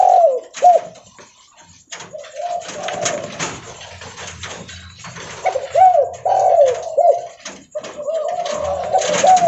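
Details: Spotted dove calling loudly while walking: repeated soft, hoarse coos in short phrases, separated by brief pauses, with rustling and handling noise in a small indoor space.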